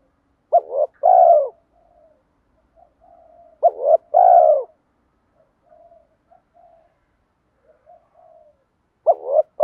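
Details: Spotted dove used to lure wild doves, in the vigorous calling style known locally as "giọng đồng thúc gù": a deep two-part coo phrase repeated about every four seconds, with soft faint coos between.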